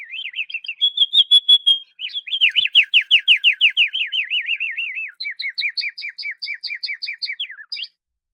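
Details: Singing canary delivering a melodious song: a warbled opening, a held pure whistle, then a long rapid rolling trill, and finally a series of evenly spaced two-part chirps, about three notes each second, ending in a brief flourish.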